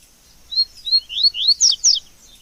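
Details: Free-living double-collared seedeater in natural surroundings, phone recording: about six clear, rising slurred notes delivered in quick succession, growing louder toward the end.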